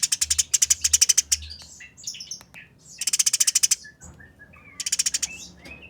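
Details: Harsh, rapid chattering of Eurasian tree sparrows in a fight: three bursts of dry rattling pulses, with short squeaky whistles and clicks scattered between them.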